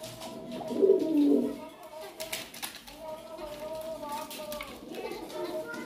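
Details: Pigeon uttering one short, low, gurgling coo early on, then a faint hum and scattered soft noises for the remainder.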